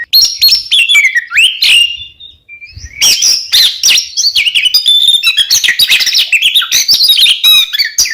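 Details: Kacer, the oriental magpie-robin, singing 'kembar ngeplong' song meant as a lure for caged birds: rapid, clear whistles and chattering trills pour out densely after a brief gap, shifting pitch constantly.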